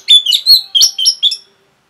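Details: Orange-headed thrush delivering a fast, loud provoking song: six rapid whistled and buzzy phrases packed into about one and a half seconds, each slurring up and down, ending abruptly.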